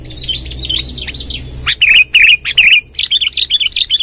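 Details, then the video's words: Sooty-headed bulbul, lively and vocal, in a long rolling song played to gather wild bulbuls: quick chattering bursts of bright, wavering whistled notes, then three louder slurred phrases, then rapid chatter again. Faint steady hiss and low hum. "suara tembakan BURUNG KUTILANG NGEROL PANJANG"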